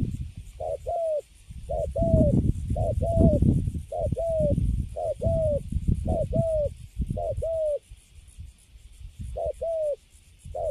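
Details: Wild-caught spotted dove sitting quietly in its cage, delivering cấn sấm style cooing of good quality: repeated two-part coos, a clipped note and a longer slurred one, over persistent low rumbling background noise.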